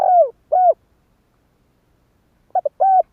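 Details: Spotted dove call used as a trapping lure: a falling coo and a rounded coo, a long quiet gap, then two short clipped notes and another low coo.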